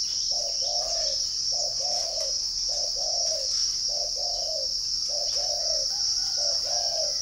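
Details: Caged spotted dove from a dove-keeping garden in Ba Vì, Hanoi, northern Vietnam, cooing: six low mellow phrases, each a short note followed by a longer falling one, about every 1.2 seconds, over a steady high insect buzz.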